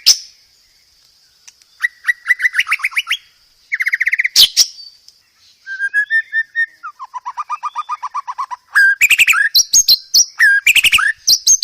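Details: Masteran song of white-rumped shama with many imitated phrases for training caged birds: separate rattling trills at different pitches, some rising, some falling, ending in loud rapid chirped bursts.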